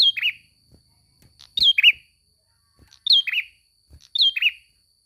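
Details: Prinia singing vigorously, a masteran recording for training songbirds: short sharp phrases, each a high note slurring down into a lower buzzy chirp, repeated about every 1.5 seconds, with four phrases over a quiet background.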